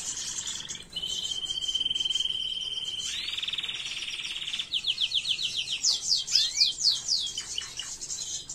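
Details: A canary's faultless teaching song for young birds, recorded 2022. A sustained buzzy trill lasts about four seconds, followed by quick rhythmic note series and sharp rising chirps.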